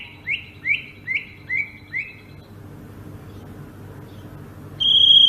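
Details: Sumatran greater green leafbird singing ngerol: five evenly spaced, sharply down-slurred notes roll out in about two seconds, a pause follows, then a loud, steady high whistle begins.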